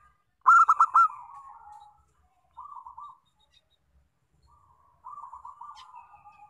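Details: Local zebra dove lure song meant to prompt other doves to sing: one loud burst of rapid sharp notes fading into a purr, then two separate softer trilled phrases.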